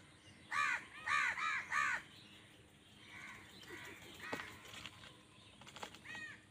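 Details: Crows fighting wild birds for food, angry: four loud, harsh caws in quick succession, then fainter calls and clicks, with one more caw near the end.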